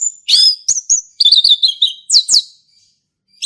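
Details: A male orange-headed thrush in a forest sings in the ngeplong style. A swooping whistle opens the phrase, then rapid trilled notes and two sharp downslurred calls follow before a short silence.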